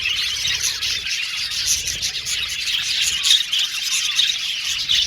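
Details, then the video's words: Dense, high warbling and chirping from a colony of male blue and violet budgies in an aviary, with a few clear short whistles near the end. "Beautiful budgies chirping sound"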